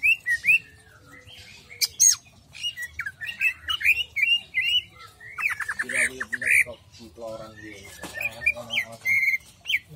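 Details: Jamstrok-style song of a greater green leafbird: fast varied whistles and chirps, stuttering trills and harsh rasping bursts, switching pattern every second or so, with a soft background hum.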